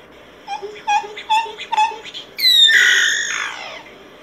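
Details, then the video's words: Solitary cacique: four evenly spaced mellow double notes about every half second, followed by a loud, nasal, downslurred squawk that trails off. "Canto Del Boyero Negro Pico Blanco."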